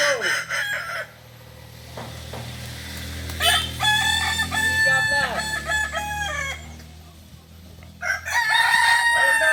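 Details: West Sumatran Kukuak Balenggek roosters from Solok at a practice crowing contest; bursts of multi-syllable crows at the start, middle and end over a steady low droning hum.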